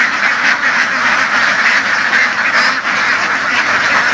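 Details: Flock of laying ducks raised and herded in open fields of western Vietnam, producing a continuous rough, harsh chorus of overlapping quacks with no pauses.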